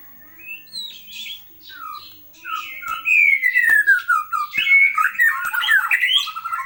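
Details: White-rumped shama song used as a master recording: quiet scattered whistles at first, then a loud run of slurred, falling and rising whistled phrases with rapid chattering notes, with faint clicks and possible indoor background.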